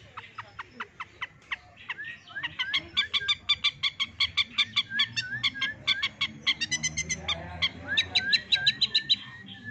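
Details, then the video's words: A six-month-old long-tailed shrike, which mimics hens, canaries and lovebirds, gives a fast run of sharp peeping notes, about three per second, imitating chicken chicks, with rising and falling whistles mixed in. "Suara Burung CENDET istimewa suara anak ayam asli"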